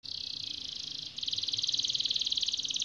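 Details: Canary song for training other canaries, a long continuous rolling trill: a steady high buzzy trill, then faster pulsed notes repeated evenly to the end.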